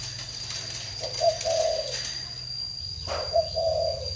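A spotted dove gives two soft, low cooing phrases two seconds apart, each a short note then a longer rolling coo, over a steady high whine.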